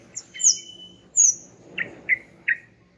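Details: Greater green leafbird, used to stir silent males into song: two high whistled notes with a long flat tone between, then three short sharp chirps about every third of a second.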